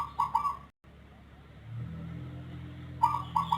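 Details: Zebra dove of the Rondosemoyo type, with an unusual voice unlike local or Bangkok birds, calling often and at length, mostly in the morning before dawn. Two short cooing bursts, one at the start and one near the end, separated by a low steady hum.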